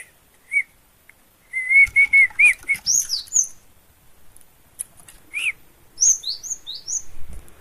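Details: Long-tailed shrike from Gunungkidul, Yogyakarta, singing. A run of short repeated mid-pitched chirps is followed by scattered high, sharp, slurred notes and quick descending whistles. There are faint rustles between the phrases.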